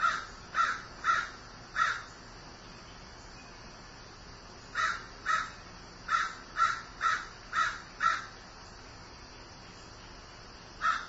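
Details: A grieving crow caws in bursts: four hoarse calls, a pause of about three seconds, then a quick run of seven, and a final lone caw.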